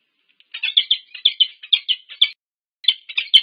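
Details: Wild peregrine falcon pair meeting at their nest on the UC Berkeley campus, USA, filmed by a nest camera on 25 August 2023: harsh, chipping notes in rapid bursts, about two per second, with a short pause before the calling resumes.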